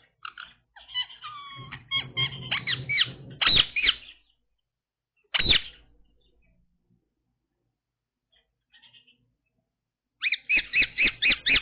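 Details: A pet Indian ringneck (rose-ringed parakeet) gives harsh, screechy chattering calls with some whistled notes, then a loud squawk, then a rapid run of sharp repeated screeches.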